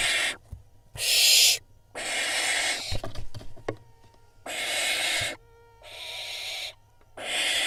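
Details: Several barn owl fledglings contest a vole inside a nest in Israel, 16 June 2021. Loud, hoarse hissing screeches alternate with softer ones and quiet gaps, plus a few sharp clicks and knocks midway.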